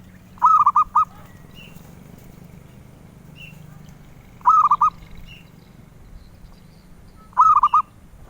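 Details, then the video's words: Melodious song of a zebra dove, a bird prized by collectors: three soft, bubbling cooing phrases of linked notes roughly every three seconds, with faint short higher calls between them. "Suara Merdu Burung Perkutut"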